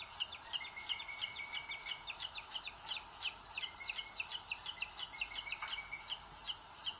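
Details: Booted eagle chicks, nest live stream, Sierra de Guadarrama National Park, Spain, 2022, the larger chick beaking the little one; fast chattering high peeps in tight runs alongside an intermittent level whistle-like tone, over background hiss.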